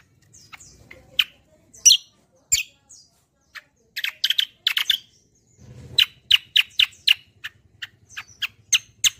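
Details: Kecial kombo song recorded as a lure and song model for birds: varied high chirps building into a steady series of sharp, repeated notes roughly every quarter second, with a brief low rustle.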